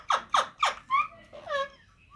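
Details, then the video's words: Rose-ringed parakeet kept as a pet, playing and feeding indoors: a quick series of three loud, harsh downslurred squawks, then two softer, drawn-out nasal calls that rise and then fall, in a small quiet room. "Ringneck Green Parrot Talking"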